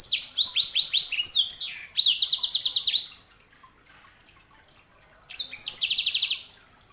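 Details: Sanger, a canary hybrid, delivering quick upslurred whistles followed by a fast even trill, a pause, then another dry buzzy trill phrase.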